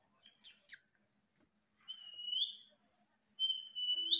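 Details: Female Indian ringneck parakeet kept as a pet, talking in Hindi and saying mummy: three sharp high chirps, then two drawn-out whistled notes that rise at the end, in a quiet room.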